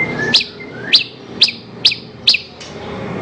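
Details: Horsfield's bush lark song on a recording for training other songbirds: five sharp, high chips spaced about half a second apart over a hissing background.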